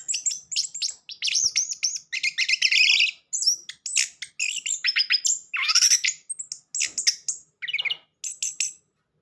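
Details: Orange-headed thrush singing in a modern style, used as a lure to coax a silent bird into song; rapid, varied, high phrases of sweet whistles, buzzy trills and chattering notes, nearly continuous with short pauses between bursts.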